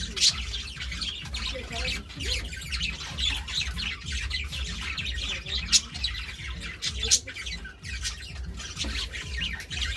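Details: Two budgies keep up busy, rapid chatter of squeaky chirps and raspy warbles, with sharp louder notes popping out every second or so above a steady low hum.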